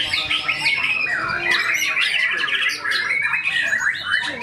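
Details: White-rumped shama, a tame caged bird singing at a contest in the main 16G class, spilling rapid varied fill-in mimicry: dense whistled trills, slurred swoops and sharp clicks in continuous flow, other contest birds overlapping.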